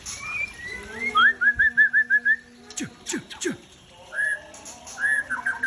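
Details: Captive breeding-stock white-rumped shama of the Aceh type singing: a run of about eight quick rising whistled slurs, then sharp clicking notes and a few falling whistles, with faint background noise.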